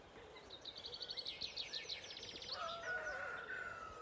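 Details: Birds in a misty Irish dawn chorus at sunrise on a farm in County Kilkenny, Ireland, with rapid high trilled phrases followed by a long, level, drawn-out call.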